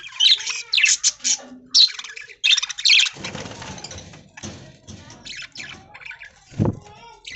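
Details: Aviary budgerigars fed corn in green leaves in the early morning, giving dense bursts of high, scratchy chirps and warbles in the first three seconds, then softer scattered chatter, with a brief loud rustling thump near the end.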